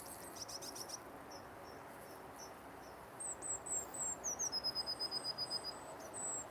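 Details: Wild coal tits in a garden feeding spot call in thin, very high piping notes: spaced single pips, then a fast run of bright repeated notes and a drawn-out high whistle, above soft background hiss.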